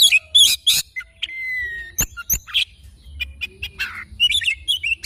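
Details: Oriental magpie-robin singing at morning, mixing harsh high chips with a long steady whistle and scattered sharp clicks in an irregular, lively sequence.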